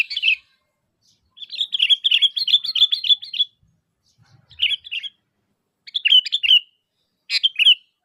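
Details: Energetic sooty-headed bulbul calls for luring other bulbuls to answer: one short phrase, then a long warbling chatter of about two seconds, followed by three brief bubbly phrases.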